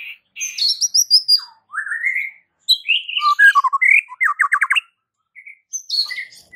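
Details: White-rumped shama singing a varied song of rich whistled phrases, rising slurs and a fast trill of repeated notes near the middle, with short pauses between bursts.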